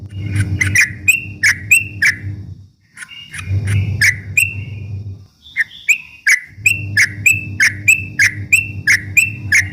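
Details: Trucuk bulbul singing as a lure to provoke rival birds, used morning, noon and night: bright whistled notes, each starting with a sharp click and then sliding, repeated about three times a second in bursts, over a steady low hum.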